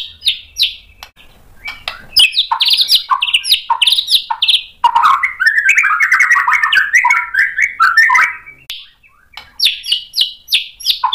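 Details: White-rumped shama singing hard after being provoked, showing its learned material. Loud chirps open into dense, continuous, varied warbling and chatter that sweeps low and high, and repeated chirps close the clip.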